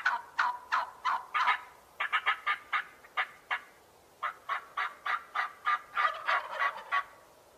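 Turkey gobbling in quick, rattling bursts of harsh notes, about three per second, in three runs with short pauses between.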